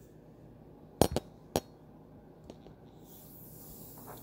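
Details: Glassy clinks and a sharp knock ring out in a quiet indoor room, then a soft hiss rises toward the end, with no animal voices.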